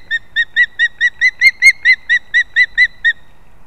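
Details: Osprey chicks competing at a nest built in a leaning old pine in Kurzeme, Latvia, 11 September 2024: a steady series of about fourteen short whistled chirps, roughly four per second, louder mid-sequence, quiet surroundings.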